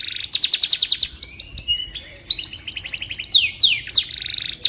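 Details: Canary song used as a training recording for magpie robins: fast high trills of repeated notes, a steady whistled tone, then sweeping rising and falling whistles, continuous and bright.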